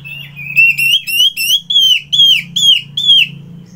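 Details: Orange-headed thrush from Singaraja, Bali, singing in the morning: about nine loud, clear whistles, each sliding downward, delivered steadily at roughly three per second over a constant low hum.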